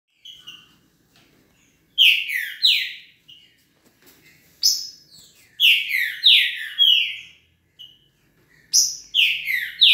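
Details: Green-winged saltator, a trinca-ferro of the "velocista" style, singing short loud phrases of three to four slurred, descending whistled notes, the phrases coming about every three seconds with soft chips in between.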